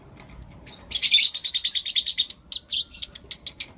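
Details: Blue opaline and lutino opaline lovebirds chirping in the morning: a dense run of rapid, high, harsh chirps pulsing about every tenth of a second for over a second, then scattered sharp notes, with a quiet room behind.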